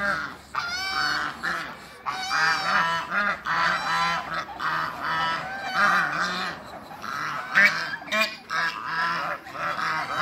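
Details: Eight domestic Toulouse and African geese meeting new geese give loud, harsh, nasal honks in overlapping bursts, several birds calling at once, with brief pauses between rapid runs of calls.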